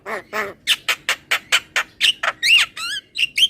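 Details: Javan myna calling, used as singing therapy: a string of harsh, nasal squawking notes in quick succession, ending in a few wavering whistled and warbled phrases.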